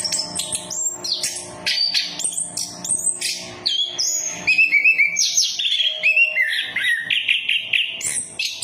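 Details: Orange-headed thrush song played to coax silent birds into singing: brisk high chirps and whistles about two and a half per second, shifting to lower warbled trills, over a faint tonal background hum.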